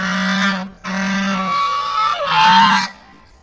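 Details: Three pet hybrid ducks at a farm house give harsh, nasal calls, close and loud: two long drawn-out notes, then a third that rises and falls.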